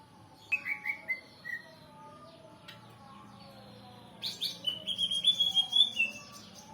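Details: Greater green leafbird singing as a lure for other birds to respond: a few high falling notes, a quiet gap, then a burst of fast, rich chirping and warbled whistles.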